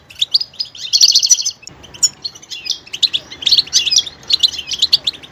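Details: Goldfinch song of diverse sounds: a dense buzzy trill opens, then quick twittering notes and bright chirps follow in fast succession.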